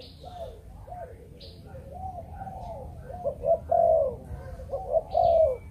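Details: Spotted dove, Malaysian breeding strain, in the 'chụp chụp ô' call style: soft, indistinct coos at first, then two clear phrases of quick double notes and a drawn-out, falling coo near the end, with faint chirping above.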